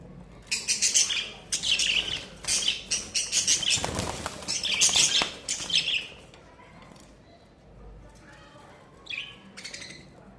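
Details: Budgerigars in summer, a flock giving rapid repeated buzzy chirps and warbled chatter in bursts for six seconds, with a loud wing-flapping rush mid-clip, then quieter calls later.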